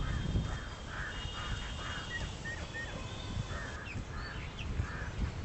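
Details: A western swamphen with its chicks while feeding gives repeated short, harsh, nasal calls. They are mixed with a few thin, slurred whistles and higher chirps, against a low background rumble.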